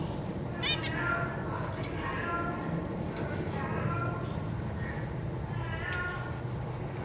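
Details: Zebra finch parents feeding newly hatched young, with three juveniles present, recorded 3 March 2023. Soft nasal harmonic calls recur roughly every second, a sharp high note near the start, low steady hum throughout.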